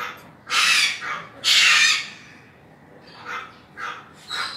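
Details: ['Sulphur-crested cockatoo (Cacatua galerita) giving two loud, harsh, raspy screeches about a second apart, followed by several shorter, fainter squawks toward the end.']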